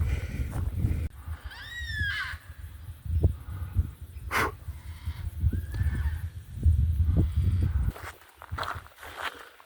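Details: In summer near midday in Gibraltar Range National Park, Northern NSW, Australia, yellow-tailed black cockatoos feeding on seeds above a creek give drawn-out wailing calls, one early and one fainter later, over heavy wind rumble and footsteps.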